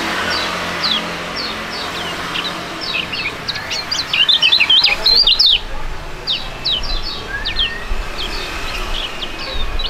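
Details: Duet of two young competition songbirds: scattered short high chirps build to a dense burst of quick, twisting whistles, then repeated single sharp notes over a constant hiss.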